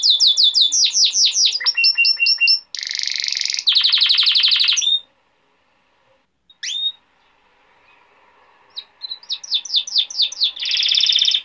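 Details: Male canary singing for young canaries to learn: rapid trills and a harsh buzzy roll, then a pause of a few seconds with single notes before fast whistled trills resume.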